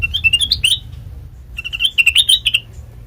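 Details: Sooty-headed bulbul song played as a lure: a rippling phrase of rising chirps, a brief silence, then a longer bright, bubbly run.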